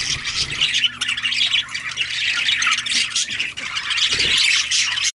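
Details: Pair of female budgies chattering: continuous scratchy, high warbled squawks with quick chirps layered over one another, loud throughout, over a faint low steady hum.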